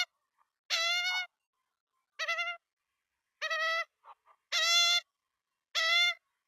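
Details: Nestcam recording of Australian magpie chicks begging at feeding time, Melbourne, 23 September 2022. Five nasal, harmonic squawks, each about half a second long, arrive every one to one and a half seconds against near silence.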